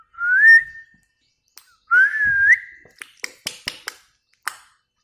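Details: A pet parrot repeats two upward-sliding whistles about two seconds apart, then a quick series of dry clicks.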